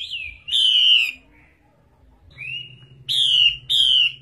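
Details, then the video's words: An old wild-caught female Chinese Hwamei gives loud, slurred whistles falling in pitch, five phrases in about four seconds, with short pauses between them, over a low hum. "HỌA MI MÁI GIÀ RỪNG XÙY NHƯ MÁY"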